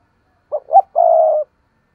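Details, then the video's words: Lure cooing of a spotted dove in thúc gù style, aimed at wild doves so they coo back. A single clean phrase: two quick hoots followed by a long, even, vibrating coo, then silence. "Cu gáy thúc gù nghe rất hắp dẫn, giọng hay bổi nghe rất tức và gáy theo"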